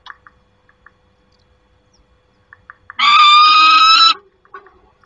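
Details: A single loud, harsh scream just over a second long from a peregrine falcon at the nest, 28 August 2021, set among faint scattered clicks and taps before and after.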